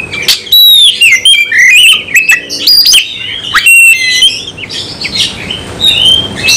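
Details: Oriental magpie-robin singing combatively with full material: varied whistles, down-slurred notes and sharp chips about once a second, tailing off into softer twittering.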